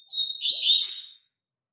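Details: Double-collared seedeater giving a strong teaching song for young birds: high clear whistles run straight into a dense, scratchy, warbled phrase lasting just over a second, ending with a fading buzz.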